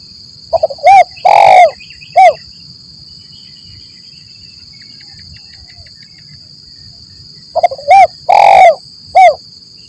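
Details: Spotted dove used as a lure for trapping, 'lambung Kuk 1 Mersik' style: two loud phrases of stutter, short coo, long coo and closing coo, roughly seven seconds apart, with quiet gaps and a constant high whine.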